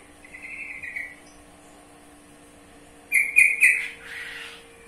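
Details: Sooty-headed bulbul (trucukan) starting with a soft, distant-sounding whistle, then after a gap a loud burst of three or four rapid chirpy whistled notes ending in a rougher, fuzzy note, faint hum throughout.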